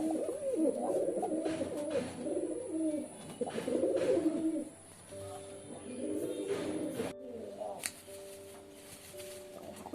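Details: Pigeons cooing together in a dense, overlapping chorus of low, throaty rolling coos for about seven seconds. The calling then thins out, with a steady high whine running through the first part.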